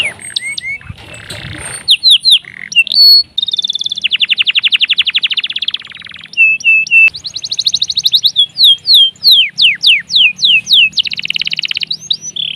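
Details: Canary in full song, performed in the ngerol and ngerek styles with cuit cuit chirps and kept as a tutor recording for training other songbirds: rapid rolling trills, buzzy pulsed runs and sharp rising whistled sweeps follow one another without pause.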